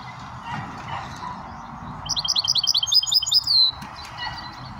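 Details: Goldfinch mule, a finch hybrid, giving one short burst of rapid, high twittering notes ending in a drawn-out buzzy trill, over a steady low background hum.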